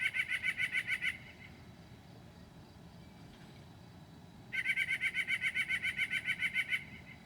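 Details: Northern mockingbird at 2 a.m., 9 July 2008, mimicking other birds at night: rapid chattering trill of repeated notes about four per second, a silent gap, then another long trill.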